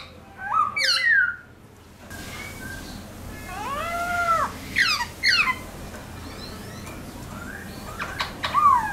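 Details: A Black-throated laughingthrush sings rich, varied whistles, with rising and falling slurred phrases in short bursts; played to stimulate other laughingthrushes and train young birds in wild-type song.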